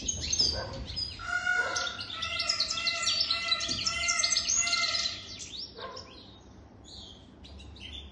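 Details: Song of a European goldfinch over three years old, a fast liquid twitter of high chirps over a few steady lower tones, fading into sparse notes toward the end.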